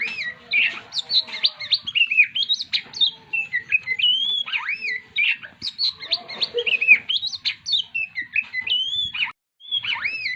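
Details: White-rumped shama kept as a stressed cage bird, singing a long rich medley of fluty whistles, swooping slurs and rapid chips, sustained almost without break over ten seconds.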